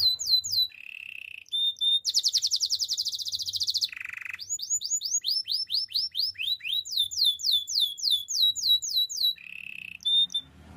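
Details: Actively singing canary, recorded for training: sweeping high notes alternate with lower steady buzzes and a fast rattling roll, followed by series of quick descending whistles, steady and clean throughout.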